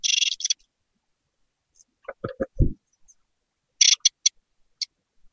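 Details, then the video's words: Hatchling great tits in a nest box begging for food: a cluster of raspy hisses, then low thuds and scraping from movement inside the box, followed by more short, stuttered hissing calls. "Jungvögel im Kohlmeisennest | Hungrige Mäuler wollen gefüttert werden!"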